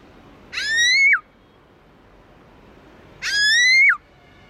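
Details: Black-throated laughingthrush giving its wild-style song: two loud, ringing whistles about three seconds apart, each rising quickly, holding steady, then dropping sharply at the end.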